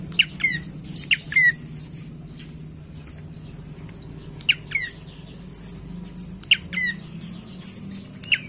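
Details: A prinia sings short, sharp, high notes. Each burst pairs a thin vertical chip with a brief falling whistle, repeated roughly every second over a faint low background hum.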